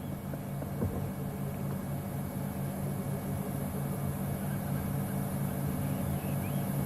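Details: A steady low engine hum, like an idling vehicle, drones throughout, with a faint high whine and no clear animal voice.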